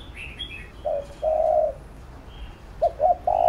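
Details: Spotted dove cooing to stimulate and train young decoy birds: low, drawn-out coos, two long notes followed by a short double note and another sustained coo. Faint higher chirps from other birds sit in the background.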